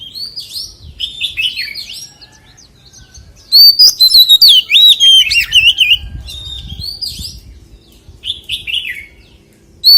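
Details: Song of a white-rumped shama in a forest style, soft scattered whistles building into a loud rapid run of warbled and trilled phrases, then a quieter pause and a few more notes.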